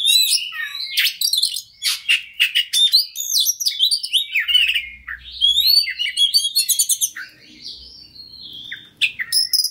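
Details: White-rumped shama stimulating song for a fighting bird: a long, varied stream of clicks, chattering bursts, sweeping whistles and buzzy notes, with a faint low rumble in the background midway.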